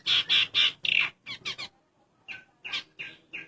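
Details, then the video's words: Pin-striped tit-babbler pair, male and female, giving loud, harsh, rapid notes in quick bursts, a brief pause, then more spaced repeated notes. "burung ciung air jantan & betina"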